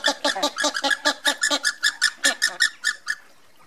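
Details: Andean flamingos marching together, giving a rapid series of nasal, goose-like honks, about four to five per second, each with stacked harmonics, continuing steadily before stopping abruptly after three seconds.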